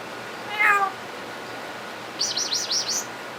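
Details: Pet talking parrot imitating sounds and words: one short squawk, then a quick run of four high rising-falling chirps like a cat's meow imitation, in a quiet room.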